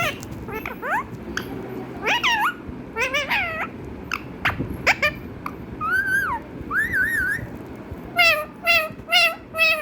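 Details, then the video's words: Pet parrot at home producing mimicked meows: quick clicks and short squeaky chirps give way to clear, wavering meow-like calls, several in quick succession near the end. "mithu say meww meww"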